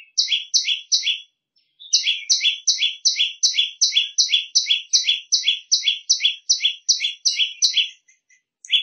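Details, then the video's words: A small prinia gives a shrill, fast series of sharp two-part chirps, about two or three each second, after a brief pause near the start; the recording is used as tutoring song for other birds. "Si kecil bersuara melengking."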